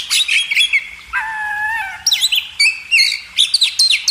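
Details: Magpie robin singing for cage-bird training: a long, lower whistled note with a harsher edge, then bursts of sharp, clipped, high chirps.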